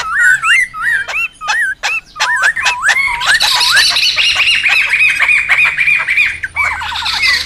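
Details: Wild laughingthrushes, recorded for luring and tutoring birds: clear, separate looping whistled notes at first, then a loud blended chorus of buzzy chatter and warbles, ending with a rapid stuttering phrase.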